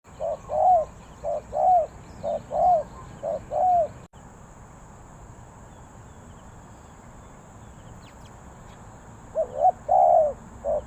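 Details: Spotted dove from Ninh Thuận, Vietnam, in the three-coo 'kuk hoi' style: four rounded coo phrases, each a short note then a longer arched one, then a quiet pause and two more phrases near the end.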